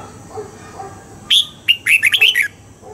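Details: Morning double-note wild-style song of a red-whiskered bulbul, used as training: a bright opening whistle followed by a fast run of about six slurred whistled notes. Quiet low chirping sounds before and after.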